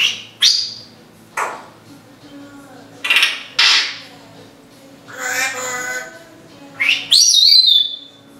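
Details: Indoor female timneh African grey parrot imitating household sounds such as sniffles, coughing and squeaky-toy noises; about seven short breathy, hissing bursts at irregular intervals, ending in a high, thin, squeaky whistle.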